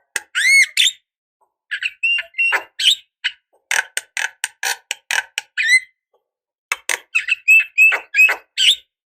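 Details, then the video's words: Javan myna calling as a decoy, a female calling a male: loud scratchy squawks and sharp chirps in irregular bursts, with a few looping whistles, separated by brief silences. "Suara Burung Jalak Kebo Gacor"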